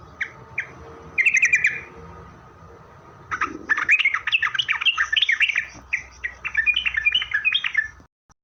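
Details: Yellow-vented bulbul lure song for attracting answering bulbuls: a few isolated chirps and a buzzy trill, then a long, lively stream of bubbly chattering notes.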